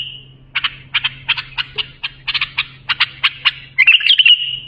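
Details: A bulbul, recorded as a model song for young bulbuls, after a brief trill delivers about fifteen quick sharp notes at an uneven pace, then ends in a rising, warbling, buzzy trill; a soft hum runs beneath.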